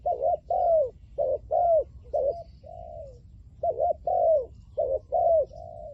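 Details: Spotted dove serving as a decoy to attract wild doves, cooing in 'lio tan' style: repeated phrases of short wavering notes and longer falling coos, about one per second, with a drawn-out soft coo between phrases.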